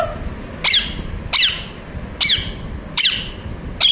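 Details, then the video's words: Parrot chirping: loud, raspy squawks, each a quick downward sweep, repeated roughly every three-quarters of a second, five in all, over a steady low hum. "Parrot chirping sounds"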